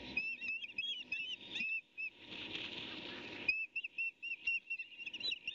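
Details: Early morning on 23 May 2019, an osprey chick grabs a fish delivered by the male and tussles over it with the female at a nest camera. Rapid high whistled chirps run throughout, broken midway by a burst of flapping wings.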